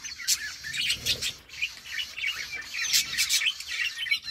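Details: Budgerigars from a colony chirping busily: short bright tweets and squeaky warbled notes from several birds tumbling over one another, with a few louder sharp calls scattered throughout.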